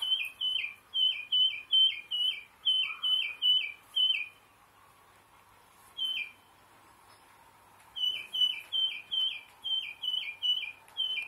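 A tufted titmouse whistles a clear, fast peter-peter-peter, about eight slurred two-part notes per burst, pausing briefly before repeating the series.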